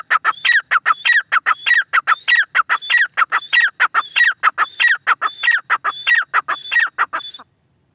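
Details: Grey francolin (teetar) calling in a long unbroken run of harsh, ringing syllables, each phrase topped by a thin high whistle, repeating rapidly and evenly for about seven seconds before stopping.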